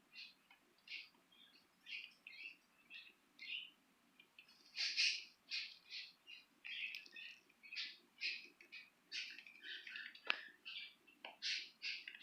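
Budgerigars chatter in quick, scratchy bursts of high chirps, repeated almost every second.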